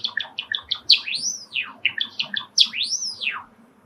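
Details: Male sakura Java sparrow kept as a pet, roused by sparrows chirping in a park beyond the window, delivers clicking chip series punctuated twice by long rising-then-falling whistled arcs.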